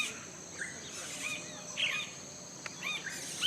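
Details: Yellow-rumped caciques at a colony in Colombia give scattered short, liquid, warbled calls about every half second, over a steady high insect hiss.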